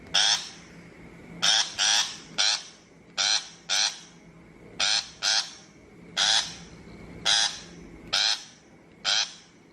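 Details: Shrike calls prepared as a 2023 mp3 lure for a bird-trapping loudspeaker: about fourteen loud, harsh, grating notes in ten seconds. The notes come singly or in close pairs over a faint steady hum.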